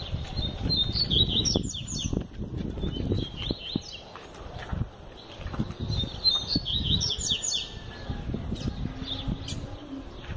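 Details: Double-collared seedeater, noted for singing all year round, repeating short bursts of quick, high, twittering song phrases between pauses, over steady low rumbling and knocking noise.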